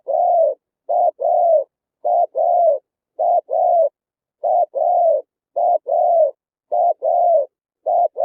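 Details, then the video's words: Spotted dove song played through a loudspeaker to lure wild birds to a trap: about eight low two-note phrases, a short wavering coo followed by a longer falling coo, repeated roughly every second, on a clean silent background. "Tiếng chim cu gáy hay, đủ bài, bẫy loa hiệu quả, chim bổi nghe nhanh về"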